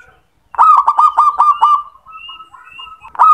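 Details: Male zebra dove calling: a loud, rapid stuttering run of about eight throaty pulsed coos that slides into a longer, softer trill. A fresh burst starts at the end, with faint thin whistles in the background.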